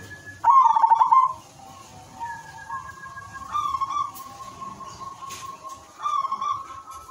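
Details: Silver zebra dove song meant to trigger other doves to sing: one loud stuttering coo phrase, then long drawn-out softer coos and a thin steady whistle behind, with faint clicks.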